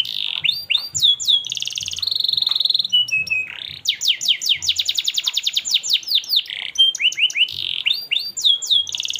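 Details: Canary in continuous melodious song meant to train young canaries: mixed sweeps and buzzy rolls, a held high note, then a long fast run of repeated falling notes and further varied rolling phrases.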